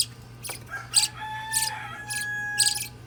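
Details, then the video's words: Nine-day-old budgerigar chick giving short raspy, hissing chirps in scattered bursts, with faint steady tonal hums and a low background drone. "Cute Baby Budgie, 9 Days Old Baby Budgerigar/Parakeet Parrot Bird"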